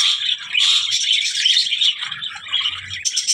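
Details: Budgies giving a short burst of squeaky warbling and chirping, with one sharp high note near the end.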